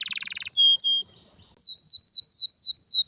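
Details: Canary song with a buzzy rattle, two clear whistled notes, a short pause, then six falling slurred notes repeated about four times a second.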